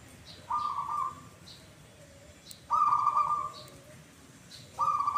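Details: Perkutut, the zebra dove, with a song repeating its kuk kuk phrase twice, gives three clear rolling coos spaced about two seconds apart, with faint high chirps of other birds in the background.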